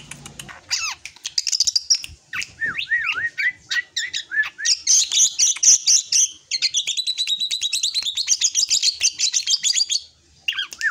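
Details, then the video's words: Young drongo growing toward adulthood giving a varied, lively song: clear rising and looping whistles, then dense high buzzy chattering and rapid ticking notes, broken by short pauses. "Beranjak Dewasa Ini Suara Srigunting Yang Paling Unik dan Fenomenal"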